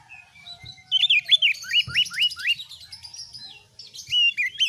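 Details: Energetic oriental magpie-robin song meant to train other birds: a rapid series of about six rising whistled slurs, followed by faint twittering and then a few sharp whistled notes.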